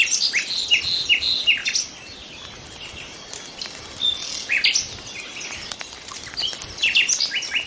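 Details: Nightingales singing: a run of short repeated notes in the first two seconds, then a quieter stretch of scattered high chirps before more bursts of repeated notes near the end, with other birds faintly in the background.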